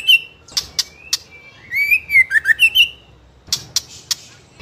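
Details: Young spotted trotol White-rumped shama, fighter style, singing without stopping to provoke other birds: high whistles and sharp clicks, a flowing warbled phrase of looping slurred notes, then more clicks.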